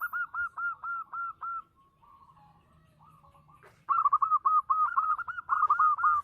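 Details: Perkutut lokal, a local zebra dove, singing hard with a loud voice: a fast run of hooked, bubbling coos, a softer trilled pause, then a second dense burst of rolling coos to the end.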